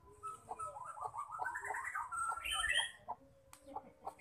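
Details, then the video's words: Female white-rumped shama song, played to make males sing: a soft, hurried run of rising chattering notes climbing in pitch, then scattered clicks, with faint background hiss. "Murai batu betina gacor penggacor terampuh murai jantan"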